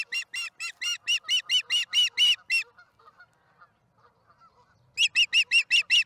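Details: April 26, 2019, 1:50pm MDT, Charlo nest cam: an osprey bringing in a fish calls with around eleven loud, ringing chirps, pauses briefly amid soft noises, then gives about seven more.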